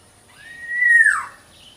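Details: Small local oriole (kepodang lokal) from Indonesia producing one smooth fluting whistle that rises slightly, holds steady, then drops off in a short downward slur; background otherwise quiet.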